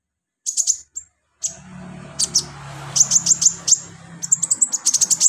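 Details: Kolibri ninja sunbird recorded as therapy to spur singing: quick clusters of piercing high chips, a brief pause, then repeated bright whistled notes over a low background drone.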